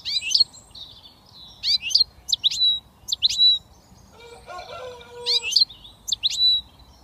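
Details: Young British European goldfinch just starting to whistle: short bright chirps and sweeping high notes in scattered bursts, with a brief lower squeaky harmonic sound in the middle and quiet background hiss.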